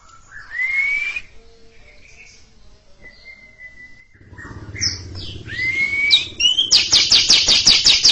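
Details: Greater green leafbird in long chattering ngekek song before a silent younger bird: scattered whistles and a clear rising whistled slur, then a fast burst of harsh, buzzy repeated notes, about three per second, closing the passage.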